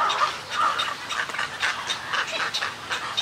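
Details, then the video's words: Snowy egrets calling in a colony, recorded at close range: harsh, nasal, rasping notes repeated about twice a second, with several birds croaking over one another. "Snowy Egret. MCU-CU Colony Calls And Greeting Calls"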